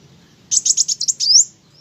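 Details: A single brief phrase from an olive-backed sunbird, kolibri wulung: six quick sharp high notes followed by a smooth rising whistle, over a soft low background hum.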